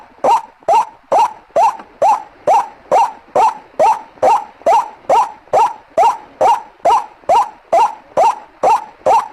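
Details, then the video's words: Rhythmic white-breasted waterhen calling used as a lure: some twenty-one rough notes over nine seconds at about two and a quarter per second, each equally loud with a short upward inflection, and a clean background. "Suara Pikatan ruak ruak"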